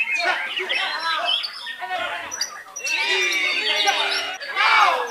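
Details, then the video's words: White-rumped shama from Belitung Island, Indonesia, shown singing at its best: a dense, rich run of varied whistles, warbles and sweeping notes, with quieter gaps between phrases. "MURAI BATU JABRIK MASIH MENYUGUKAN PERFORMA TERBAIK NYA"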